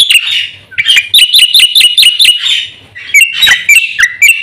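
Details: Black-winged myna pouring out an energetic fill-in song for luring and training birds: a fast chain of bright chirps with a slight upward flick, pausing briefly before lower whistled notes and further chirps.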